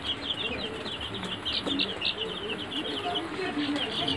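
A flock of Sonali chickens keeps up a dense chorus of short, high peeps and chirps, overlapping constantly, over a low hum of barn noise.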